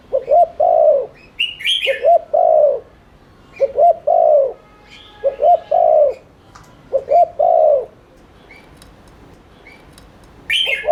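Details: Spotted dove in rapid 'thúc liên thanh' cooing to stir other doves into cooing: about five quick low three-part phrases in close succession, with sharp higher chirps from other birds at the start and end.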